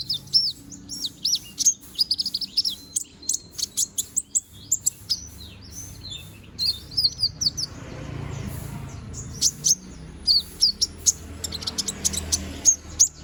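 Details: Bald young konin bird growing new feathers, singing hard for song training: long run of sharp high chirps and twitters in clustered bursts, a quieter noisy stretch midway, then renewed rapid chirping.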